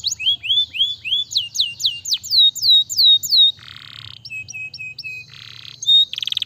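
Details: Canary song played to encourage lazy canaries to sing: a run of loud rising and falling whistled slurs, then buzzy rattles, short clipped notes and a fast trill at the end.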